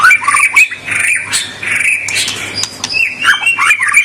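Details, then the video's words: White-rumped shama (murai batu) singing hard to provoke rivals: continuous sweet whistled phrases woven with scratchy chatter and sharp ticks, the song barely pausing over four seconds, with a constant low hum behind. "Suara kicau murai batu super gacor.Membuat Murai lawan mbagong"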